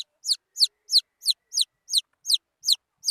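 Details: Junglefowl chicks peeping: bright, falling whistled notes repeated rapidly and regularly, about three a second.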